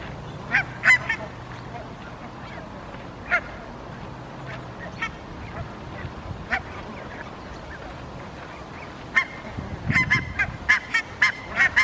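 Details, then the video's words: Barnacle geese communicating while grazing in a park in Helsinki, Finland, September 2021: short, sharp yapping barks, scattered at first, then a quick run of calls near the end over a low background rumble. "Barnacle Goose communication while grazing"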